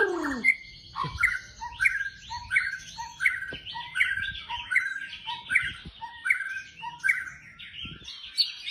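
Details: White-rumped shama (murai batu) in a lure recording meant to prompt other birds to sing, in the rapid tembakan style. A sharp rising whistle opens chattering phrases that repeat about every 0.7 seconds, with an upward slide at the start and faint background noise.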